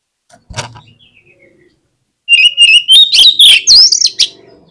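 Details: After a soft click and a pause, an oriental magpie-robin (kacer) breaks into a loud song: a long rising whistle that flows into quick buzzy, looping high notes, repeated several times a second.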